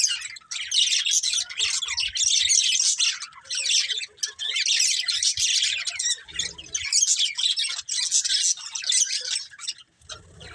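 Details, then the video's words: Several budgerigars keep up a dense, busy warbling chatter of scratchy chirps and squeaky notes, nearly continuous for about ten seconds with short breaks and a few soft low thumps. "Cute Budgies Chirping Sounds"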